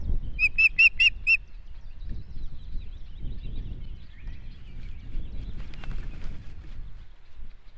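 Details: Osprey at a nest in Estonia, recorded in 2018, giving a short burst of five sharp, piping whistles in quick succession, followed by low rumbling background noise and faint distant calls.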